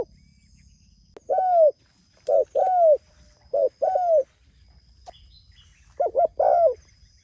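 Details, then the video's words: Spotted dove calling to others: soft mellow cooing phrases, each a short double coo followed by a longer falling coo, repeated irregularly over several seconds; faint high steady hiss in the background. "Suara Burung Tekukur Gacor Memanggil Temanya"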